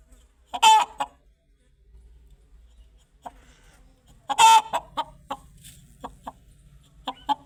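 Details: Chicken calling with two loud raspy squawks about four seconds apart, each followed by a string of short, soft clucks spaced irregularly.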